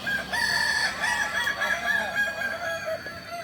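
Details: Kukuak balenggek roosters crowing at a contest final (latberan) in Ampang Kualo, Kota Solok, on Sunday 8 September 2024. Overlapping long, wavering crows with steady bright tones sound continuously throughout, several birds at once.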